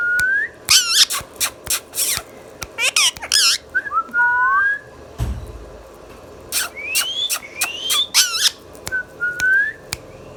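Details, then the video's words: Caged talking Indian ringneck parakeet: quick bursts of harsh noisy calls mixed with rising and wavering whistles, sharp clicks throughout and one low thud near the middle. "Mithu Mithu Bolne Wala Tota | Indian Ringneck Parrot natural Sounds"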